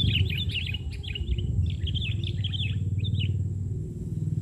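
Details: Sooty-headed bulbul, said to be very vocal, sings short, wavering chirped phrases in steady succession over loud, continuous low rumbling noise, recorded during bird trapping in Indonesia.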